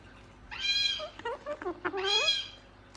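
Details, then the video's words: Two raspy harmonic bursts from a talking gang-gang cockatoo, with quick murmured stepped notes between them. "Talking gang gang cockatoo"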